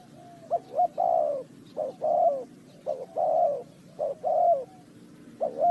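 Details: Spotted dove calling during bird trapping, Ninh Thuận: steady series of coo phrases, short clipped notes followed by a longer descending coo, repeated roughly every second, with low background hum.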